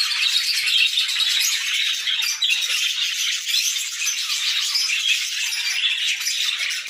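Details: Morning chorus of a group of budgerigars: an unbroken, rattling mass of fast chirps, squeaks and warbled notes from many birds at once, steady in loudness for the whole stretch.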